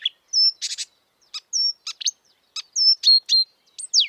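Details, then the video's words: In the wild, a marsh warbler mixes sharp clicks, high level whistles and brief buzzy bursts, ending on a steeply falling slurred note. "kicauan merdu burung marsh warbler / kerak basi di alam bebas"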